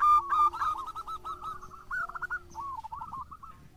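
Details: Local zebra dove (perkutut lokal) singing actively, used as a lure recording: a fast run of short arched cooing notes, slightly rising then falling, with a steady low hum underneath.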